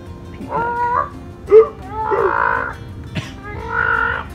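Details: Indian peafowl at Mayfield-Gutsch House, Austin, Texas, on Thanksgiving 2015, where about 17 peafowl, some albino, sat in a tree, give three drawn-out, nasal, wailing honks about every 1.5 seconds, with a sharp knock and a click between calls.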